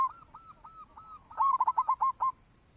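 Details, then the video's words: Local zebra dove lure call: a few soft spaced coos, then a loud quick roll of about seven bent, bubbling notes at one pitch. "suara pancingan perkutut lokal paling manjur"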